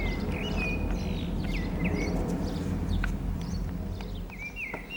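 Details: Common blackbird singing from an antenna on 18 April 2019 in the San Martín town centre, Zamudio, Txorierri, Bizkaia; clear whistled phrases with sliding notes over a steady low rumble of traffic-like noise.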